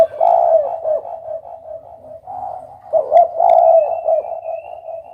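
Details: Spotted dove uttering steady, low, rolling coos with a louder burst partway through, with faint clicks in the background.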